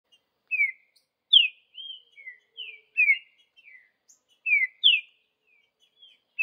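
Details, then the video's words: Green-winged saltator of the Vidigal song style singing in the wild in the bush: clear whistled slurred notes, mostly falling, in short phrases of two to three notes with brief pauses, over a quiet background. "Trinca ferro Vidigal no mato"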